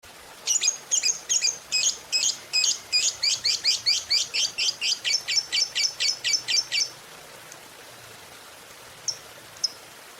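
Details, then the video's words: Lovebird giving a morning ngekek, a long chattering trill meant to stimulate other lovebirds: about thirty rapid, high, sharp notes in a steady run for six seconds, then two isolated chirps after a pause. "SUARA PEMACU Ini Bikin Love Bird Ngeroll & Ngekek Ganas!"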